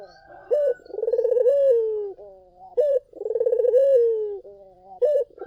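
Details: Vigorously singing collared dove, used as a lure for other doves: repeated phrases of a brief clipped coo followed by a throaty, trilled rolling coo and a drawn-out descending tone, about every two seconds.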